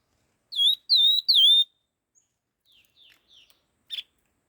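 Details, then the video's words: Laughingthrush in rapid song. Three strong whistled notes, each sliding down and then levelling, are followed by soft low twitters and a short buzzy note. "Tiếng chim khướu lùi đuôi hung hót kích nhanh"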